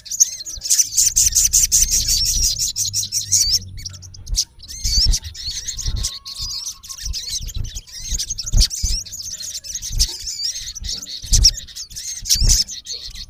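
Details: Olive-backed sunbird male, known locally as sogon, calling to a rival: a rapid buzzy high chatter at first, then scattered sharp, high twittering notes amid low handling-like thuds.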